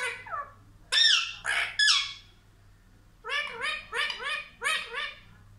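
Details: Talking Indian ringneck parakeet, a pet that says mummy and papa, with two harsh raspy squawks followed by five quick, even, chattering syllables like spoken words.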